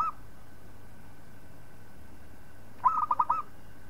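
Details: Zebra dove of local stock singing as a tutor for other birds. After a brief clipped note and a quiet stretch, one phrase of quick, throbbing coos arrives near the end, over a soft background hum.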